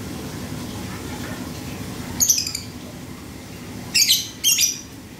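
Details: Male lovebird over-excited in breeding condition, making its typing-like 'ngetik' sound said to resemble lato-lato: one sharp high chirp, a pause, then two quick clicking bursts close together against a quiet murmuring background.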